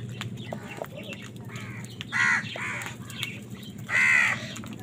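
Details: Quieter, scattered caws build to two loud, hoarse crow calls about two seconds apart while crows fight for food, with a low hum throughout.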